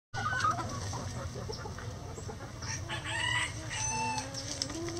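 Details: Backyard chickens going about their daily activities, with scattered soft clucks and a few short harmonic calls over a steady low hum, plus faint higher chirps in the background.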